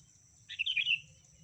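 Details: Female sooty-headed bulbul calling to the male, used as a lure call: one short, bright chattering phrase of warbled notes lasting about half a second, over a steady high electronic whine and a low background rumble.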